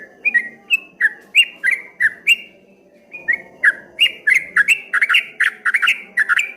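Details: Rapid whistled song of a streak-eared bulbul, 'ropel ngombak banyu' style: sliding notes, a short pause mid-way, then a denser, faster run of paired down-slurred whistles.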